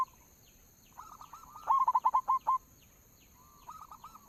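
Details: Local zebra dove lure call with soft cooing, a loud burst of about seven quick hooked whistled notes, then softer cooing resuming after a gap.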